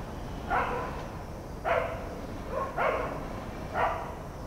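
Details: Indian grey hornbill recorded 15 09 23 at Shiv Ngr: loud harsh squealing calls, four in sequence about one second apart, each a short strained screech.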